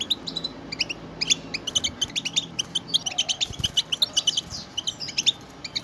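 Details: Several European goldfinches giving stimulating group chatter used to make pet goldfinches sing: crisp, high twittering notes in quick clusters with some buzzy slurred sounds, steady throughout over a faint low hum.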